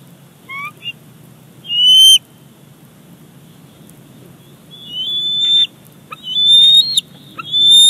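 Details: Bald eaglet at a nest at Big Bear Lake, recorded 28 July 2019, squeeing as its mother delivers a fish; high thin whistled squeals, some rising, in short bursts separated by pauses, over a low background hum.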